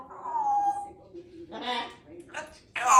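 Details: Female Congo African grey parrot, under two years old, a chatty pet living in a country home, talking with clear words; a sliding whistled tone opens, followed by three short speech-like bursts, the last loudest.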